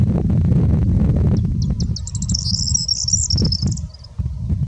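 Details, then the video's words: Corn bunting singing on Plex Moss, Lancashire, 16 May 2020: a high, accelerating jangle of dry clicking notes building into a glassy rattle, heavily buffeted by strong wind throughout. "More Corn Bunting gargling with broken glass"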